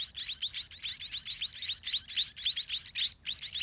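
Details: Nestling white-rumped munias calling for food as parent birds feed them in a garden nest, a frantic stream of thin rising squeaks, roughly four per second, in pulsing bursts with short gaps.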